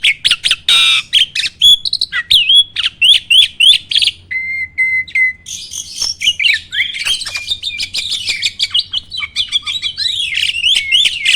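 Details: Starling song used as a training recording to provoke other birds to sing: rapid, varied phrases of sharp clicks, rattling notes, repeated upslurred whistles and a sustained level whistle, delivered almost without pause.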